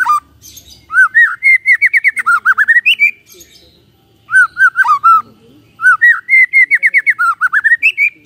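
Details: White-rumped shama singing in the morning to trigger a silent shama. Two long bursts of rapid whistled notes, each climbing into a fast stuttering run and ending on a higher slurred whistle, separated by a short quiet gap.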